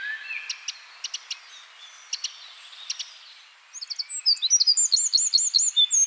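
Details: Soft scattered chirps and thin whistles from other birds give way to a Eurasian wren bursting into a loud, high-pitched song of quick rattling trills and rapid looping notes.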